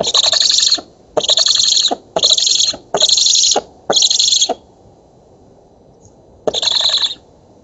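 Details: At an oak-tree nest in Poland on 11 August 2017, black stork nestlings being fed give five quick harsh hisses in a row, fall silent for two seconds, then resume with one more.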